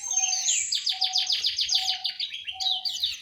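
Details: Aviary orange-headed thrush in Malang, East Java, pouring out a fast chattering series of repeated buzzy notes, several per second, while a thin steady low whistle repeats in the background.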